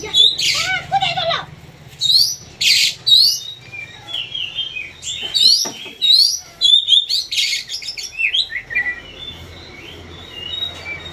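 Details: Oriental magpie-robin (kacer) in a pacingan face-off, singing varied bright whistles, sharp chirps and harsh buzzy bursts in quick, irregular phrases, with a low hum underneath.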